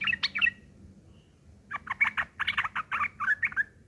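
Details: Sooty-headed bulbul giving a rough fighting song used as a lure to make other bulbuls reply; a short burst of chirps, a pause, then a fast run of about a dozen scratchy, clipped notes over steady background hiss.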